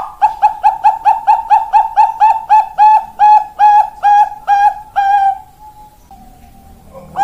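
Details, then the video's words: Bangkok-type perkutut, or zebra dove, singing on 4 March 2023: a rapid train of short bubbling coos that gradually slow and lengthen, ending in a long sustained note before a fresh phrase begins. "Perkutut Bangkok Indo Perkutut"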